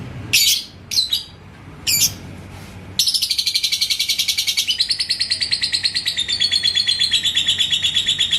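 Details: A yellow labet lovebird kept in Indonesia, baited by an opponent's song, gives a few sharp squeaks, then launches into prolonged ngekek: a fast rattling chain of shrill notes that gradually drops in pitch.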